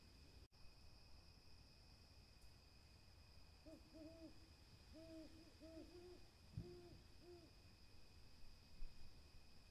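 An owl gives a short run of soft, hollow hoots in quick pairs over about four seconds, against low rumbling background noise and a faint steady whine.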